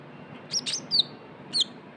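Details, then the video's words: Van Hasselt's sunbird, called konin or kolibri ninja, in a lure recording of trotol style: a few short, high, thin chirps and one sharp downslurred whistle, spaced across two seconds over a quiet low hiss. "PANCINGAN KONIN TROTOL GACOR (KOLIBRI NINJA)"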